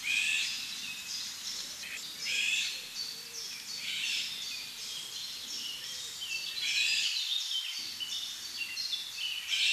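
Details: A Eurasian golden oriole family of adults with three young in Nieuwdonkbos, Berlare, after a successful breeding season, gives a steady stream of high, thin chirps and scratchy notes, overlapping almost without pause, over faint hiss.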